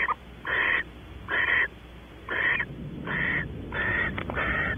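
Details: At Audubon Starr Ranch, California, Barn owls mate in a nest box after the female comes in; a string of grating, breathy hisses, the first few short and sharp, the last ones longer and blurring together.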